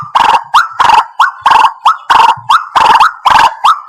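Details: White-breasted waterhen call used as a lure for bird trapping: loud, harsh croaking bursts alternate with short rising squawks, about twelve notes in under four seconds, in a steady see-saw rhythm.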